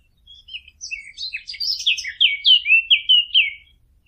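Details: Fig bird calls used as a hunting lure: a rapid, jumbled series of high chirps and twittering notes, followed by several clear, downslurred whistles repeated about every quarter second, with no other sounds.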